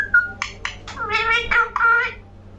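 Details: Pet parrot, called mithu, talking indoors: a string of short, nasal, speech-like syllables with a rough, buzzy tone, some rising and some held, over about two seconds.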